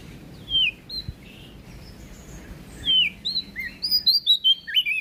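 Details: Prinia from West Nusa Tenggara giving sweet high whistled notes, first scattered single slurred chirps, then a quickening series of bright rising and falling twitters near the end, over soft background hiss.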